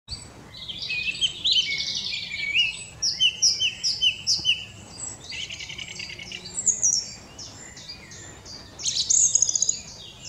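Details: Song thrush recorded with a Nikon P900: loud bright phrases of sharp whistles and chirps, many notes repeated two or three times, in bursts between short pauses over a quiet background.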